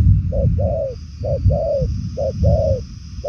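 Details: Purple-legged 'đồng son' spotted dove cooing strongly in 'nước xa, tốc độ, bài lối' style: paired notes, a short coo then a longer falling one, repeated over a heavy low rumble.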